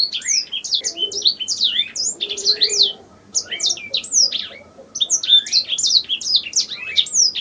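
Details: Canary singing as master training audio, a lively stream of sharp high chirps and descending whistles in phrases, with a short quiet gap partway through and soft low sounds beneath.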